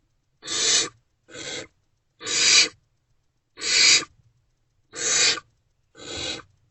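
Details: Barn owls at the nest box at night during food deliveries, 28 February 2024: six breathy, harsh hisses, each swelling and fading within half a second, spaced about a second apart over near silence.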